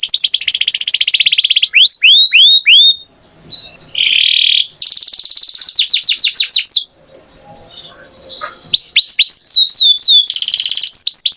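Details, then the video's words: Canary song in bursts of rapid high trills and curved whistled notes, broken by a sustained buzzy tone and two short quiet pauses before the trilling resumes. "Canary Singing Beautifully"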